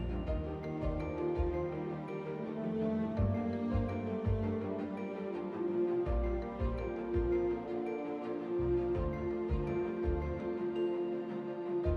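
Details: Soft, tender instrumental music plays throughout, with steady sustained tones and no animal calls audible.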